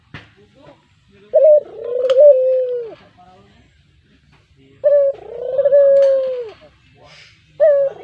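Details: Brown Barbary dove kept as a pet, calling as a lure; loud, close coos, each a clipped upper note then a sustained smooth tone fading down, spaced by quiet gaps.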